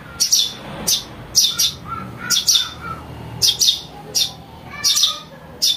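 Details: Eurasian tree sparrow chick calling, played as a lure and tutor sound. About thirteen sharp high chirps, some doubled, with faint thin whistled tones beneath.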